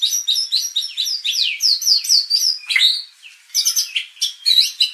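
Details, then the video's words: White-rumped shama song for provoking competition birds into singing: quick, varied whistles, sweeping slurs and chips in a busy run, a brief lull, then more sharp notes. "MURAI BATU BIKIN RAME | pancingan murai batu agar emosi bongkar isian"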